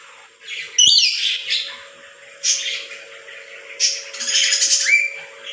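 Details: Pet lorikeet parrot indoors making harsh chattering squawks in three bursts, with a brief whistled note near the end over a low constant room hum.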